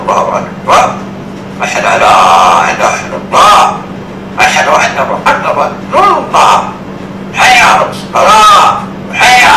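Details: A black-capped lory mimics the Islamic iqamah (call to begin prayer) in short, speech-like phrases of reedy syllables and sliding tones, with pauses between phrases and a low steady hum behind.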